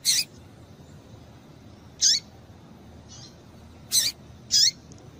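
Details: Calls of a female Double-collared seedeater, meant to excite the male: four brief, piercing high notes with falling slurred tails, spaced one to two seconds apart, with soft hiss between them.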